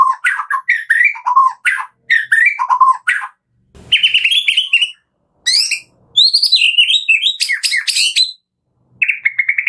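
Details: Lively morning song of a Medan white-rumped shama, used as a lure to prompt captive shamas to sing: short bursts of mixed whistles and chirps, high rapid trills, and pauses between phrases.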